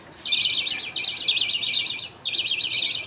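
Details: During feeding in a budgerigar colony, a father feeds millet paste to his two chicks; two long, scratchy, rapidly pulsing high bursts, the first lasting nearly two seconds.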